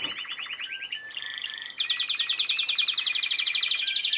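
A canary sings a rapid, bright run of rolling trills and chattering notes, shifting between pitches with barely a pause; nothing else is heard.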